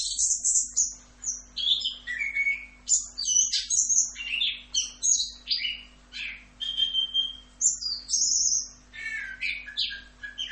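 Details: Varied 'rock'n roll' style song of an orange-headed thrush, a long unbroken string of high whistles, slurs, trills and scratchy notes mixed with some clear level tones, a quiet hum beneath.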